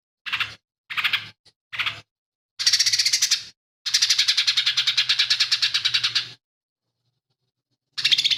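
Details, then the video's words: Lesser green leafbird in lively song with mimicry of house sparrow fight calls, long-tailed shrike and cililin: short harsh buzzy bursts, then long rapid rattling trills of evenly pulsed notes lasting over two seconds. "CUCAK IJO MINI GACOR"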